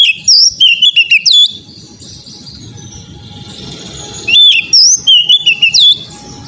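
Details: Oriental magpie-robin song recorded as therapy for untrained birds: two vigorous bursts of varied whistles and sharp slurred notes, separated by a few seconds of hum and rumbling background noise.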